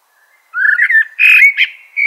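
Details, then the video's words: Common blackbird giving a mellow whistled warble that rises and falls, followed by a louder, rougher twittering section and a final sustained high whistle, against silence. "Natural Birds Voice, Bird Natural Sound.Common Blackbird"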